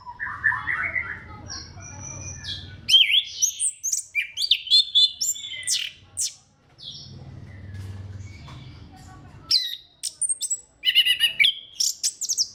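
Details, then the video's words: Orange-headed thrush song, used to stimulate other thrushes to sing: bursts of sharp, varied chirps and rising sweeps, separated by a quiet gap, then resuming with rapid twittering. "KICAUAN SEBENING KRISTAL ANIS KEMBANG GACOR PANCINGAN MANJUR"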